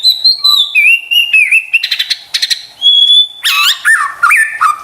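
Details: Murai batu (white-rumped shama) lure song meant to prompt stressed or quiet birds to answer and sing: long pure whistles, steady and high, broken by buzzy bursts, then quick descending and hopping notes.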